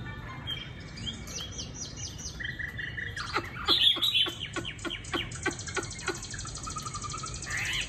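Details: Caged Chinese hwamei in Định Công, Hanoi, a bright golden-legged bird, delivering a varied song: thin high chirps, then a burst of loud sharp notes in rapid repeated strokes, ending in a steady high trill.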